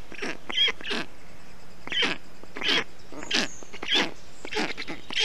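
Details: Black stork chicks in an Estonian nest on 20 June 2021, during hot weather while their father cools the nest with water and wet moss; short scratchy rasping bursts every half second or so, with faint thin whistles.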